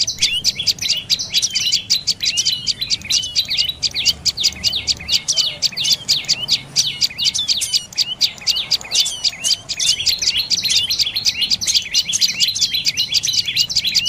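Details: Long run of insistent, piercing chirps by a dark-necked tailorbird, notes crowded tightly together and barely pausing, some rising and some slurring down, over quiet low rumble.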